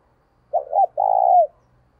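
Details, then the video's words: Single phrase from a decoy spotted dove, played to stimulate another bird's cooing: two quick hooting notes, then a sustained level coo dropping away at the finish. "Tiếng Chim CU Gáy Mồi Gáy Sung - Dùng Kích Bổi Siêng Gáy"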